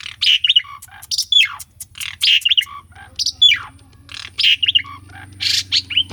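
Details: Asian pied starling song, recorded for real and used as a lure to stir a bird that has gone silent: harsh, loud bursts mixed with descending whistled slurs, uneven phrases separated by short pauses, with a faint low hum beneath.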